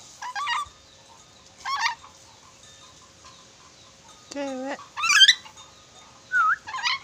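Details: Sulawesi red-breasted parakeet, described as a clever whistler with many whistles, gives short wavering whistled phrases, one low, drawn-out whistle and rising slurred notes, separated by brief pauses, with faint bird chirps behind.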